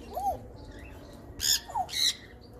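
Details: Pet African grey parrot, said to talk non-stop, gives two short rising-then-falling whistles, then loud harsh squawks and a faint closing whistle against a quiet indoor background.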